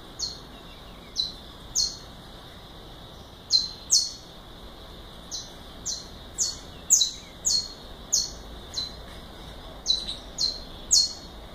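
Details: Saffron finch singing in the galador style: scattered bright, sharply descending chip notes, some in quick pairs, over steady low background hiss.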